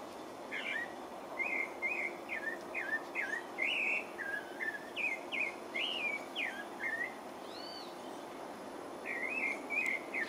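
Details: Song of a pale-breasted thrush (Turdus leucomelas) recorded in French Guiana: a long, lively series of varied whistled and warbled notes, rising and falling, strung closely together, a brief gap, then more slurred phrases.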